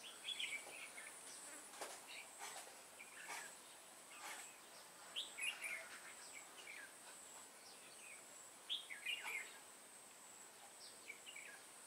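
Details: Red-whiskered bulbul singing as a trap decoy to draw in wild bulbuls, 28 September 2017: scattered quick chirpy warbles in separate bursts over several seconds, with sharp clicking knocks and a constant high hiss.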